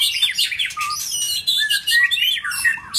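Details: Caged male White-rumped shama, a new bird challenging a rival male, singing varied whistled and chattering phrases with clear downslurred whistles among scratchy notes, in short bursts separated by brief pauses, indoors.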